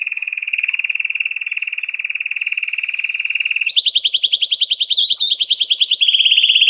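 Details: Canary song: a long, steady rapid trill at mid pitch that jumps to a higher, buzzier trill, then drops into a slightly lower rolling trill. The notes are pulsed quickly and evenly throughout.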